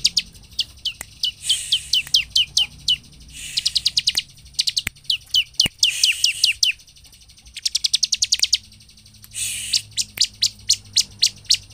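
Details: Bar-winged prinia song used to stir up other birds: repeated phrases of sharp descending high chirps mixed with harsh buzzy rattles, loud and continuous.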